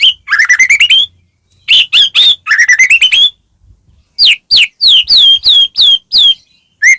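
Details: White-rumped shama song, played to spur other shamas into singing: rising, fast-stuttered whistled phrases, then a string of loud, sharply falling whistles repeated several times a second.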